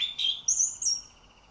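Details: Orange-headed thrush song fragment meant to prompt other birds to sing: a steady whistle followed by two piercing high, slurred notes in quick succession.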